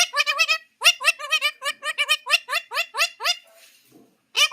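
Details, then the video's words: A pet talking parakeet, amid a loud quarrel with people in a household, gives quick bursts of bright, rising, giggle-like notes, about four a second, pausing briefly before starting again. "টিয়া পাখির ডাক"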